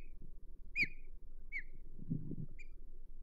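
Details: Osprey guarding its Hog Island nest, 22 May 2023: one loud downslurred whistle followed by two softer chirps, with low muffled knocking and rustling noise between.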